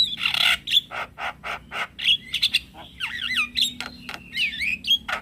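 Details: Male Javan myna call used to bait other mynas and starlings into replying: a harsh buzzy burst, a series of clicking rasps, then twisting looped whistles and quick chirps.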